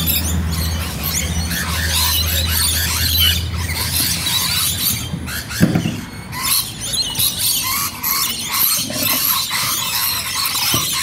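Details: Rainbow lorikeets in Bonnyrigg producing a thick mass of high, harsh squeals and chatter, with a brief thump near the middle and low hum early on.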